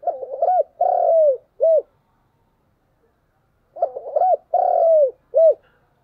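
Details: Morning calls of a spotted dove used as a decoy: two full phrases, each a rapid stammering run of notes, a long slurred descending coo and one short closing coo, with a quiet gap between them.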